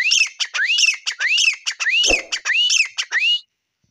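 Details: Grey francolin calling in a rapid, shrill series of loud rising whistled notes, each sweeping upward and ending in a sharp peak, about eight phrases in under four seconds, with brief clicks between them, then silence.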